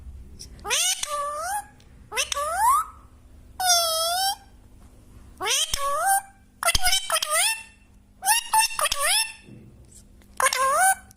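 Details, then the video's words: Singing parrot indoors, seven loud drawn-out rising squeals and wails with strong harmonics, each about half a second to a second long, separated by short silences over a low room hum. "#parrot #bome#singing#parrot"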